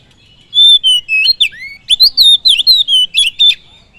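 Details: Song of an oriental magpie-robin used to provoke other birds: a steady run of loud, clear whistles, some long and level, others steeply rising or falling, about a dozen notes in three seconds.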